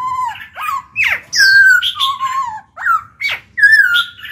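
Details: A caged black-throated laughingthrush singing to stimulate other birds: clear, low, falling whistles alternate with sharp upward-swept notes and a long level whistle, in loud connected phrases.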